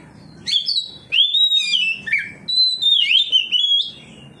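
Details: Oriental magpie-robin singing loudly in reply to another magpie-robin, unloading its varied repertoire; a quick run of bright whistled notes, some rising and some falling, in short phrases with brief gaps.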